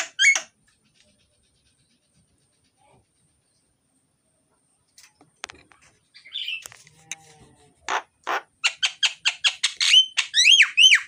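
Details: Loud, varied myna (jalak) song meant to prompt lazy mynas to sing: a brief whistle, a long near-silent gap, scattered soft notes, then rapid harsh rasping bursts running into sharp rising whistles repeated in quick succession.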